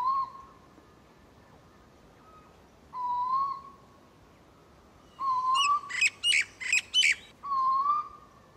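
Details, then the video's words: Eastern Koel in Sydney, a migratory cuckoo named onomatopoeically for its call, gives four drawn-out, upward-sliding whistles about a second long and a few seconds apart; harsh chattering, likely a Common Myna, breaks in midway. "Koel, migratory, a cuckoo, name onomatopoeic to its sound."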